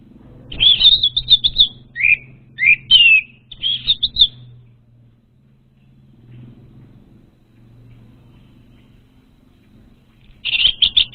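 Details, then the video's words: Orange-headed thrush lure song: a burst of rapid sweet whistles and rough slurred notes for about four seconds, then a long quiet gap with faint hum, and the song resumes near the end. "SUARA PANCINGAN UNTUK ANIS MERAH BAHAN"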